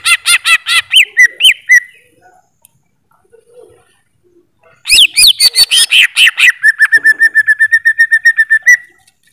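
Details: Greater green leafbird singing lively strings of looping whistles. After a pause, it launches a fast, even run of short notes, about four per second, ending in a longer level whistle.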